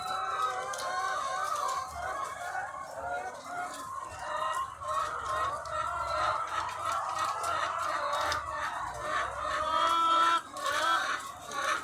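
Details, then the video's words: Farm full of thousands of egg-laying chickens; constant babble of overlapping clucks and long quavering calls, with a few clearer high notes standing out near the end. "The Sound of Thousands of Egg-Laying Chickens"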